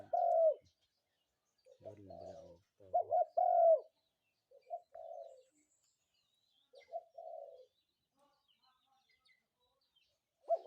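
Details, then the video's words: Spotted dove in the morning giving mellow coo phrases: a clipped double note running into a long coo, followed by fainter broken coos, with a short low rumbling sound in the background. "ນົກເຂົ້າໃຫຍ່ຂັນຍາມເຊົ້າ นกเขาใหญ่ขันยามเช้า"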